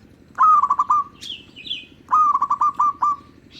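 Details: A local zebra dove, recorded as a lure for others of its kind, repeats a pulsed coo twice, about one and a half seconds apart. Each phrase has a rising start and quick even beats, with a brief higher chatter from another bird between.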